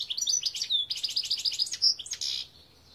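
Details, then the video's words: European goldfinch song, 2021: continuous lively twittering of high, liquid notes and short whistled slurs, densely packed, fading out in the last half second. "Chant Chardonneret"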